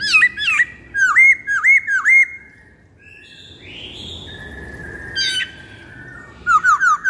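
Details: Black-throated laughingthrush singing as a lure, quick bursts of looping whistled notes in short series, a drawn-out rising whistle in the middle, then more rapid looped notes at the end.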